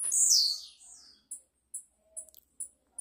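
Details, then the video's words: Blue-black grassquit (tiziu) singing: one loud, high, buzzy sweep that slides downward over about half a second, then a series of short, very high chips spaced roughly half a second apart in a quiet setting. "TIZIU CAMPAINHA??? CANTA MUITO"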